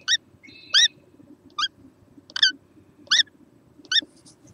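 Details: Small kookaburra, 6 November 2014: six short, sharp, squeaky notes spaced irregularly about a second apart. One note has a flat tonal hum beside it, over a quiet low background murmur.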